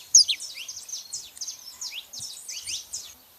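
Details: High, thin, descending chirps from saffron finches, female and male, tumbling over one another in an even stream.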